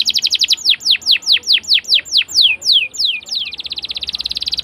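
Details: A prolific singing canary, used to lure young canaries into learning song. Quick chips slow into a series of loud downward-swooping whistles, about two per second, then break into a fast, even, high rattle-like roll.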